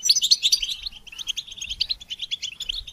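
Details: Rapid, bubbling goldfinch twitter, used to train songbirds, runs almost without pause: bright chipping notes at the start, then an even stream of quick high chirps.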